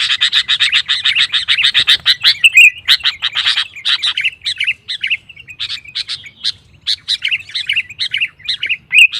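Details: Sooty-headed bulbul singing to stir rival males into song: dense, rapid chattering at the start, then separate bubbly whistled phrases with short pauses between them.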